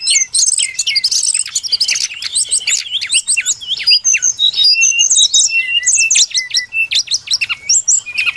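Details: Recorded as a trapping lure, a brown-chested jungle flycatcher pours out rapid high chips and slurred whistles in quick, varied phrases with only short pauses.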